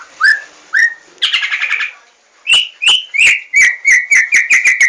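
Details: Loud white-rumped shama singing two upslurred whistles, a fast buzzy rattle, then a quickening series of sharp ringing notes repeated about four times a second, crisp and unaccompanied.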